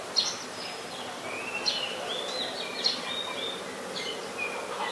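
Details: In Ubon Ratchathani, Thailand, on 14 December 2020, a White-vented myna gives a lively series of sharp high chirps and sliding whistles, spaced unevenly, with faint hiss behind.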